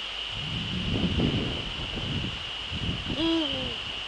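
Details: Male Eurasian eagle-owl, Netherlands, 30 January 2013, 18:00. Low rumbling noise fills the first seconds, then one clear hoot rises, holds and slides gently downward. A steady high whine runs throughout.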